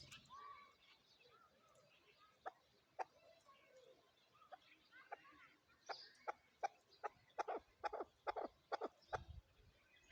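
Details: Chakor, the chukar partridge, with scattered clucks that build into a fast, uneven series of sharp chuck notes over the second half, roughly two per second, with a quiet background.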